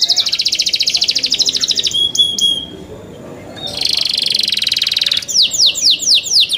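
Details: Young canaries sing a rapid high trill, pause on thin whistled tones, resume with a dense buzzy roll, then finish with sweeping downslurred notes.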